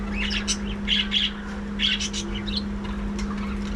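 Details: Budgerigars in a breeding colony giving close, loud, scratchy warbled chirps in quick bursts, several in the first two seconds, against a steady low hum.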